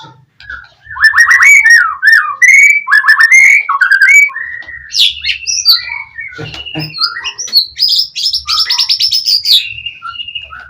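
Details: Oriental magpie-robin singing a loud, full song meant to provoke a rival into answering: rich whistled phrases, fast chattering trills and scratchy notes in rapid sequence, with soft low thumps underneath.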